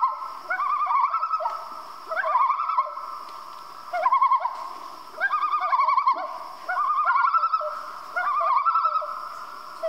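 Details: A common loon at night repeats loud laughing tremolo phrases. Each burst of rapid wavering notes lasts about a second, and the bursts come roughly every second or two.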